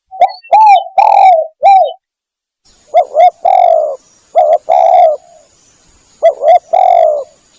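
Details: Spotted dove lure call used by hunters to draw doves in: mellow, hollow cooing phrases of two to three notes, each a short coo then a longer drawn-out one, in groups with pauses; steady faint high electronic whine throughout.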